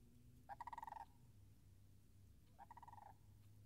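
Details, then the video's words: Sandhill crane calls recorded by a marsh still frozen over, late March 2019: two rattling, pulsed bugles, the second fainter and about two seconds after the first, against a low hum. "Wetland Marsh Audio - Sandhill Cranes - Short"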